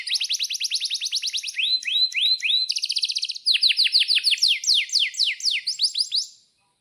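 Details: Canary song serving as a lure for other canaries: a fast even trill of sharp notes, slurred whistles, a buzzy rattle, then loud descending chirps before it fades out.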